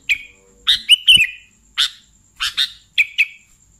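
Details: Kutilang, the sooty-headed bulbul, chattering in 'gacor' fashion: separate sharp chirps and paired notes with short buzzy tails, five or six groups spread across a few seconds, with a faint high whine and occasional soft knocks behind.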